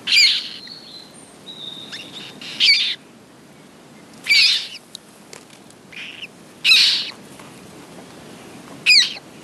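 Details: At a nest with eggs and fresh chicks, a common moorhen utters harsh, clipped, rasping notes at uneven intervals of roughly two seconds, five main bursts with a few fainter ticks and a brief whistle between them.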